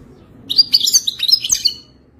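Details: Moroccan European goldfinch of the Wadani song style, wild-type: a quick burst of bright, twittering notes and buzzy trills lasting about a second and a half, with a faint low hum underneath.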